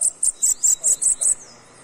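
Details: Seven short, very high buzzy pulses from a bananaquit, known locally as sibite, evenly spaced about every fifth of a second before fading into a faint trailing note.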